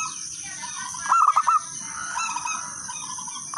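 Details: Local wild-type zebra dove used as a lure to start other doves singing. One short burst of quick, clipped mid-pitched coos, then a brief start of another at the end, over a steady high hiss.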